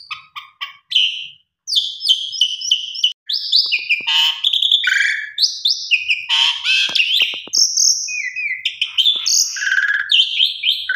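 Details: Calling female Asian pied starling trying to attract a male: a long, varied sequence of squeaky chatters, clipped whistles and harsh bursts, with fluctuating pitch and few pauses, and faint clicks in the background.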